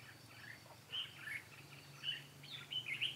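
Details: Trapping decoy red-whiskered bulbul, 13 March 2017, luring wild birds with song. Soft, slurred whistled notes come every half second or so, over a low background hum.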